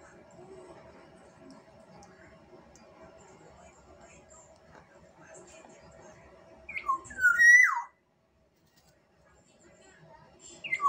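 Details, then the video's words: Black-naped oriole from Sumbawa: after several seconds of low murmuring background, one loud fluty phrase of slurred whistles ends in a strong, drawn-out, downward-bending note. Silence follows, and another whistle begins at the very end. "Kepodang emas Sumbawa"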